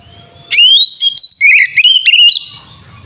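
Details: White-rumped shama fighting song for provoking shamas: a long rising whistle followed by bouncy warbled notes and clear whistles, a single phrase of about two seconds.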